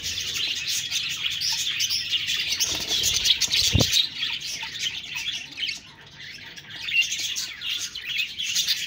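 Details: Group of budgerigars chattering with high scratchy chirps and warbles, a dull thud partway through and a brief quieter lull before the chatter swells again.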